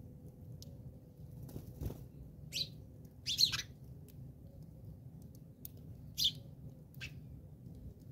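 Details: House sparrows fighting in South Africa give a few short, harsh chirps at irregular intervals, with a fluttery rustle of wings over a steady low background rumble.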